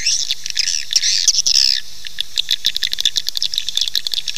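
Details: Swiftlet call used to attract swiftlets to nest: a burst of harsh high squawking twitter for nearly two seconds, then scattered sharp clicks and short chirps over hiss.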